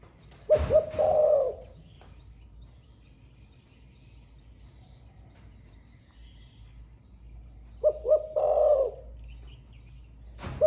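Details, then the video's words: Low cooing of a caged spotted dove in Thổ Pha style, two phrases of clipped double notes and a rolling coo about seven seconds apart over steady low background hum and a few knocks. "Cu gáy 800k giọng THỔ PHA mới nổi gáy cả ngày"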